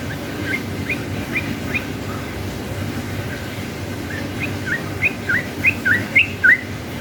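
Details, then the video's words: Yellow-vented bulbul in a lively ropel panjang song used as a lure to draw other bulbuls into singing. Faint curled whistles first, then louder paired rising-falling notes near the end over a steady low background hum. "KICAU SUARA trucukan gacor ropel panjang ini efektif jadikan pancingan trucukan agar bunyi"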